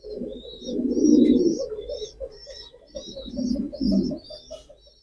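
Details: A male pigeon gives a run of deep, bubbling coos that pulse rapidly, while small birds chirp steadily at a much higher pitch behind it.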